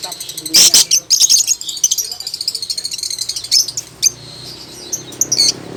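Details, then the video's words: Lovebird starting to sing steadily: loud, high, scratchy squeaks open, followed by a busy run of quick chirps and twittering notes that thin out into scattered squeaks. "Burung lovebird sudah mulai mantap berkicau"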